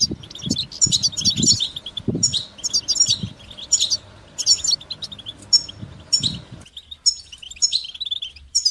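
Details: European goldfinch song in the bitbita and sitsita styles, played to teach young goldfinches to sing. Dense high twittering phrases come roughly every half second over low rumbling thumps, which drop away near the end.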